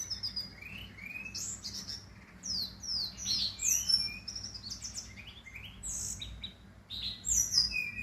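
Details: Brown-chested jungle flycatcher from Bali singing a lively, continuous run of varied high whistles with quick slurred, falling and rising notes, phrases following one another with barely a pause.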